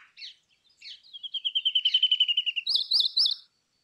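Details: Brown rock chat song. It opens with a few scratchy chirps, then a rapid even trill of about three dozen notes. It ends with three looping, wavering whistles higher up. The background is quiet.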